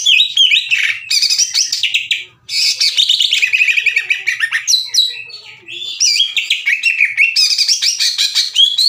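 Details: Green leafbird song used to provoke rival leafbirds into answering: loud, rapid, varied chattering of trills, whistles and chirps in long bursts with two brief pauses.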